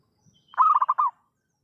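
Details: Single zebra dove coo phrase used as a trapping lure, a fast series of five or six soft, throaty pulses ending in a slightly longer note, preceded by a faint low murmur.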